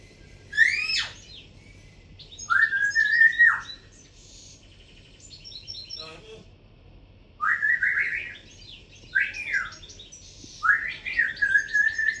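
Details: Cockatiel (Nymphicus hollandicus), call.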